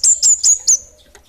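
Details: Kemade, the orange-headed thrush, singing in the 'bunga api kecil' style: four loud, high whistled notes, each with a sharp rising-then-falling slur, repeated about every quarter second, then a faint trailing chirp.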